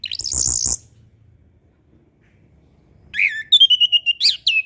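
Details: Orange-headed thrush song for young birds learning to sing: a loud harsh wavering buzz, a pause, then a rapid string of slurred whistles and quick sweeping notes.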